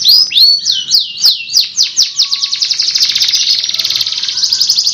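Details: Canary singing a long rolling song for bird training: quick series of looping downslurred notes slowing slightly, then merging into a dense continuous high trill.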